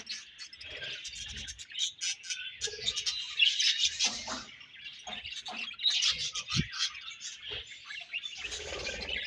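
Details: Budgies in a colony chattering continuously, with rapid high chirps, trills and squeaky warbles overlapping, plus occasional clicks and a brief low thud.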